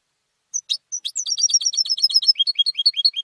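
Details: Home-raised European goldfinch, a competition bird, opens with a few separate high notes, then a rapid run of bright tinkling notes and a final series of lower, downward-slurred chirps.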